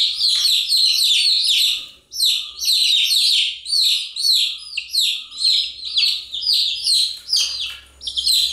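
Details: Chicks chirping continuously: shrill, downward-slurred peeps overlap in dense bursts of about two a second, from several birds at once, with a brief lull near the second mark and a faint low hum underneath.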